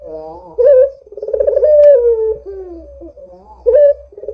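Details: Actively cooing Barbary dove, used as a lure to prompt other doves: a loud clipped note, then a vibrating, slowly falling coo, then a softer tail and another accented note starting again.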